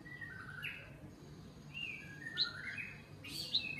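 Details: White-rumped shama, a wild-caught bird one week in a cage with a 16 cm tail, being tamed: soft, sliding whistled notes, some rising and some falling, in loose phrases over a low steady hum.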